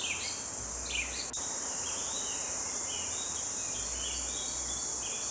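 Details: Birds singing on a sunlit forest morning: short whistled notes and brief warbled phrases around the middle pitch range, scattered at irregular intervals over a steady high insect-like hiss.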